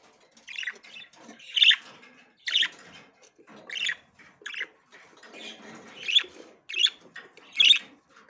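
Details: Female budgerigar checking the nest for the first time: sharp, scratchy chirps repeated at fairly regular intervals of under a second, with quiet gaps between them.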